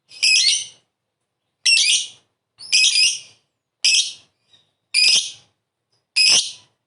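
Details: Calling lovebird from a lure recording meant to make other birds reply: six loud, harsh, high-pitched shrieks spaced roughly one second apart, each short and rasping. Silence between them.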